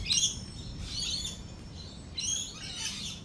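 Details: Lorikeets in a thunderstorm give shrill, buzzy screeches in two bursts separated by a quieter chattering pause, with a low background rumble.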